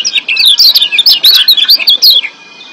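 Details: Wild Lombok white-eye, yellow kecial, singing excitedly in breeding condition: a dense, fast stream of high chirps and slurred whistles for about two seconds, ending abruptly in quiet hiss.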